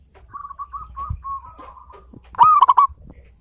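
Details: Zebra dove of local stock: a soft series of short repeated cooing notes leads into one loud, rapid, rolling cooed phrase; used to prompt other birds to sing.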